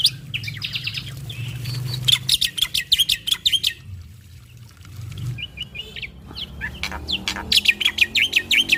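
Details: A male black-winged (white) starling sings a busy run of sharp, repeated chirps and whistles, about three notes a second, pausing briefly before resuming; the song is used as a lure to get other starlings singing.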